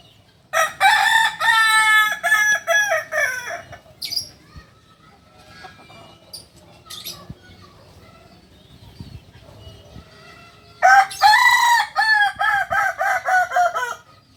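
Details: Two loud multi-tiered crows from a kukuak balenggek, a native singing chicken from Solok, West Sumatra, each chopped into a rapid string of about eight stepped syllables, separated by quiet with faint chirps and scratching.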